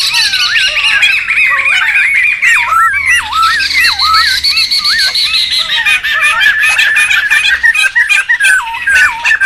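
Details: Noisy laughingthrush singing for bird luring and tutoring: looping, bending whistles repeated over a dense wash of harsh chatter, several birds seemingly overlapping throughout.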